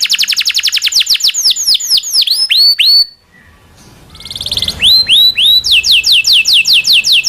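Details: Local canary singing a long rolling song used as tutor song for magpie robins and other songbirds: rapid series of descending whistled sweeps, a brief pause, then a buzzy trill and rising, then falling swept notes.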